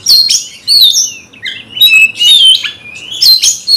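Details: Kacer, the magpie-robin, in a heated fighting mood against a rival: loud, clear whistled notes gliding up and down, interspersed with short scratchy squeaks and chatter.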